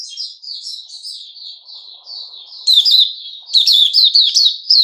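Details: Sooty-headed bulbul kept in captivity, 10 July 2021: a soft, sliding twitter builds into two loud bursts of sharp, chattering notes near the end.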